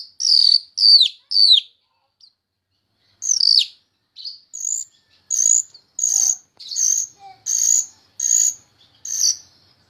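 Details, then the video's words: Jalak rio-rio myna singing as a tutor song for other songbirds: three sharply falling whistles, a pause, another swooping whistle, then a regular run of short high chips spaced under a second apart. "Suara Burung Jalak Rio Rio Gacor Teler Isian Banyak"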